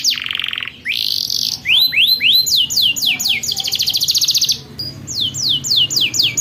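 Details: Young canaries' training song from a canary: a loud falling buzz, a sustained rising buzzy note, rising then falling swept whistles, a dense high trill, and slower downward sweeps to close.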